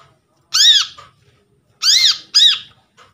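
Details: Lure recording of a newly trapped brown-throated sunbird, meant to stir reluctant birds into sound. One arched, harsh-edged ringing note, then a quick pair of similar notes, over a faint low hum.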